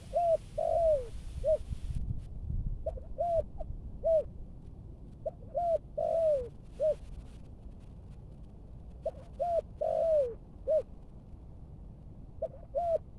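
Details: Cooing in the thúc gù style from a Malaysian-strain spotted dove trained as a decoy in Bình Dương, Vietnam: repeated phrases of short hoarse notes around one longer falling coo, every few seconds, with low hum beneath.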